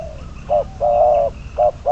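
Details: Spotted dove, bird number 22, used as a trapping decoy, calls in low hollow notes: a trailing coo, a short hoot, a long steady coo, then two more short hoots, with a faint distant high tone.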